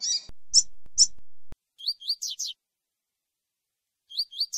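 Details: Coleiro near a female being warmed up with tui tui song. It opens with loud high chips, then gives a tui tui phrase of upslurred whistles and buzzy descending notes, and starts another phrase at the end.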